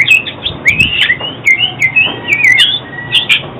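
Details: Oriental magpie-robin song, a recording used for trapping and for training songbirds: a fast, continuous run of varied high whistled notes and slurred phrases, with brief sharp clicks in between.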